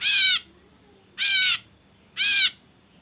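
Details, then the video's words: Ashy drongo recording used to prompt other birds to sing: three identical wavering, ringing nasal notes, each about a third of a second, repeated roughly once a second. "Pancingan Burung Srigunting Abu Abu Biar Bunyi"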